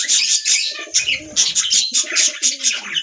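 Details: Budgies chattering together in a dense, overlapping warble of quick high chirps and scratchy notes, with a few lower, softer murmurs underneath.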